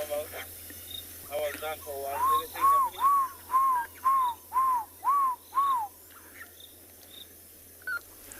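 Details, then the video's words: An African Barred Owlet calls in the background at sunset in riverine habitat, Tswalu Kalahari Reserve, South Africa, 2 October: a short stuttering lead-in, then about seven mellow, arched hooting notes, roughly two per second; crickets trill faintly behind. "in the background the barred owlet. Tiny"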